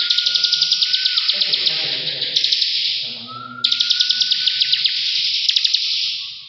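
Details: Bar-winged prinia in continuous ngebren song, a sustained high buzzy rattle with quick ticks, alongside a thin steady whistled tone and a dip in loudness mid-way.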